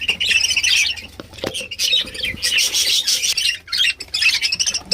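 Budgerigars chattering almost nonstop, a dense mix of scratchy warbles and sharp squawks from several birds at once, with a few brief pauses.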